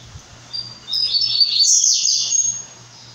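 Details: A brown-plumaged blue-black grassquit sings one drawn-out, high, buzzy phrase of fast downslurred notes climbing to a shrill peak. A constant low hum runs underneath.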